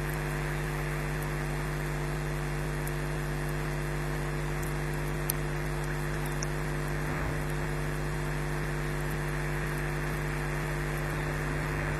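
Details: Steady electrical hum and broadband hiss from a live nest camera at Loch Garten, with faint clicks and no clear animal calls.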